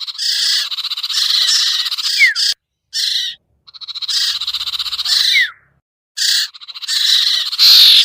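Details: Lure call of the sirtu for bringing birds down: long stretches of raspy, rapid buzzing pulses with two downward whistle slides and a few short breaks.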